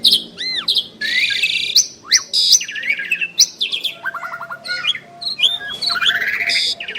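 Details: Asian pied starling duet of two prized birds: arched whistles, buzzy harsh phrases and rapid clicking rattles in a busy, varied stream.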